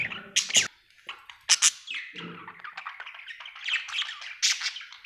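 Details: Happy budgerigar chirping with sharp clicks and a steady scratchy warble of squeaky chirps and chattering notes.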